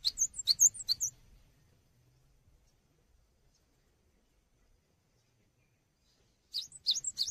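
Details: Cinereous tit in full song for songbird training: a short burst of high, sharp paired chirps, then several seconds of silence before another quick chirping phrase starts up.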